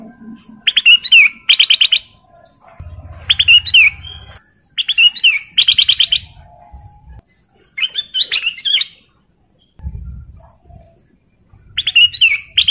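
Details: Breeding-condition male golden bulbul calling a female, delivering bright staccato whistled bursts with falling slurs, in bouts every two to three seconds; intermittent low rumbling in the background between phrases.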